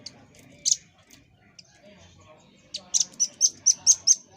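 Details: Master-song recording of a velvet-fronted nuthatch for training caged birds: scattered thin high chips, then a fast run of about seven shrill, clipped notes in the characteristic 'tembakan' burst, with faint low background murmur.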